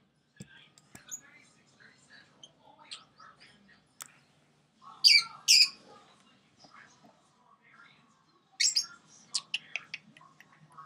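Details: Pet sun conure, six months old, housed near budgies and lovebirds: soft scattered chirps and clicks build to a pair of loud, rasping shrieks midway, followed by a later cluster of sharp, shrill squawks.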